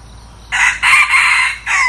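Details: A decoy red junglefowl, newly brought in to lure wild junglefowl, crows loudly in four parts: an abrupt opening, two long strident phrases, and a brief falling last note, over low steady hum.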